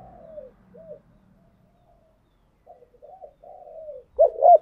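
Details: Spotted dove decoy bird cooing to rouse newly caught birds during training: soft, descending mid-pitched coos, then a pause, more gentle coos, and a loud pair of hooked coos at the end.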